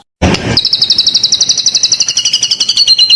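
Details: White-rumped shama singing a full, varied song used as a lure to stimulate other birds: a short noisy burst, then a long rapid trill of high, even notes that slowly drops in pitch and splits into two lines.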